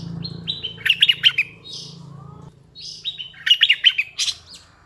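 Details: Decoy red-eyed bulbul singing two matching phrases, each a quick run of bright warbled notes stepping downward, separated by a pause and a soft hiss, with a low hum in the background.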